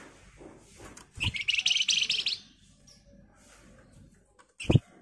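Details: Rapid, dense red avadavat trill used to draw a reply from other birds: a single pulsing high burst of about a second over a low murmur, with a brief thump and squeak near the end.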